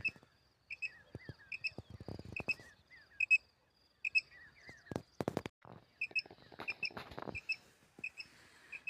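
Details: Common quail, recorded for hunting: clear doubled high notes repeated roughly every second, with soft slurred notes between them and intermittent thumps and rustling.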